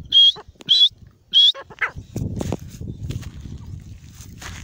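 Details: Partridge (teetar) calling: three loud, high whistled notes, each slightly rising and about a quarter second long, given in quick succession over the first second and a half, followed by softer scattered rustling and low background noise.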